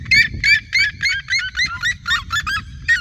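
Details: Flock of red-legged seriemas singing around the recordist in open country fields: loud, rapid series of harsh yelping notes with rich harmonics, about three or four per second, some notes dipping lower midway, over low rumbling background noise.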